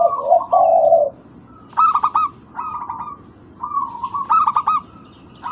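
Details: Local zebra dove lure recording meant to prompt silent doves to call: opens with two low, smooth coos, then clipped trilled phrases of rapid staccato notes, repeated with short pauses.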